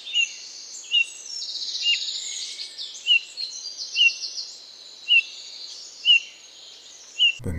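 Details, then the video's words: A Eurasian bullfinch gives its unobtrusive, almost shy call, a series of soft, short, quiet whistles often described as mournful, about once a second, over a thin high chatter of other birds. "the call of the bullfinch is unobtrusive and almost shy a series of quiet whistles"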